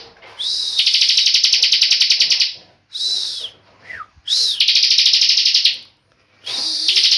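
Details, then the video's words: A tame bar-winged prinia sings loud, high, buzzy trills in bursts of one to two seconds, each opened by a thin slurred whistle, with brief pauses between. "CIBLEK NGEBREN"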